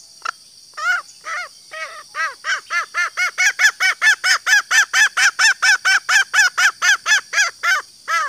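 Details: A female green junglefowl (Gallus varius) gives a long run of hoarse, arched clucking notes that quicken to about three a second, over a steady high insect hiss; the call is used to lure males into calling.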